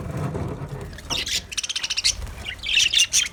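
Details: White budgerigars give short bright chirps, then a quick run of clicking ticks and a burst of scratchy chatter near the end, after a second of low rumbling background noise.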